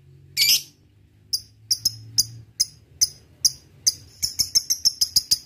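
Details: Lovebird in ngetik style, the ticking that leads into ngekek, used to provoke rivals: one shrill call, then short sharp high ticks that start sparse and speed up into a quick run.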